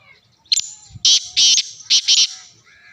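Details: Black francolin in Sindh, Pakistan, giving a harsh, grating call of several loud rasping bursts in quick succession. A faint low hum sits in the background.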